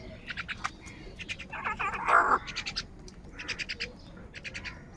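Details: Crows in a morning fight for food give a rough, scratchy call of moderate loudness midway through, with busy rhythmic chirping from small birds before and after.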